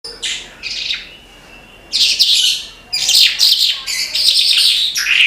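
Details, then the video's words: Oriental skylark, called branjangan, singing in a lively continuous burst: dense buzzy and chirping phrases high in pitch, with brief pauses between rapid twittering runs. "BRANJANGAN GACOR TIADA LAWAN"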